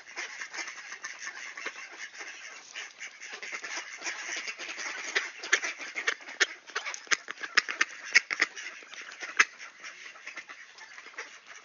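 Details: Ducks greeting at a door in Sainte-Adèle, Quebec, Canada, late morning of September 16, 2024, on a clear 18°C day; a dense, steady chatter of rapid, overlapping quacks that grows busier midway through.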